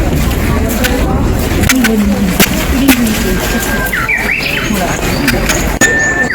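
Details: Japanese bush warbler in Tenryu-ji's temple garden, Kyoto, 6 April 2023: a held whistle followed by a brisk, upward-leaping phrase, heard behind nearby people talking and steady low background hum.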